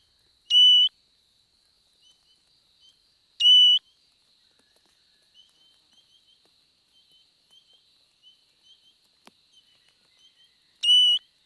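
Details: Spotted pardalote at a summer nest in the Capertee Valley, giving a loud, clear, slightly falling whistled note about every three seconds, with soft paired notes from another pardalote between them.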